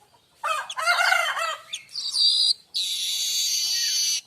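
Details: Streaked weaver, sung as tutor material for oriental magpie-robin and white-rumped shama: a chattering burst of stacked, nasal notes, then a high buzzy phrase and a long, even sizzling buzz.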